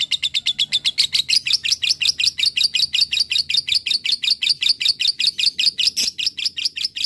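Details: Fighter lovebird producing the long 'ngekek panjang' trill played to make other lovebirds answer: a quick, evenly paced chain of sharp high chattering notes lasting throughout, with one brief click near the end.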